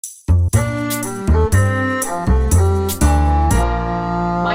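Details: Instrumental music with bowed bass and brass notes; no animal sound is heard.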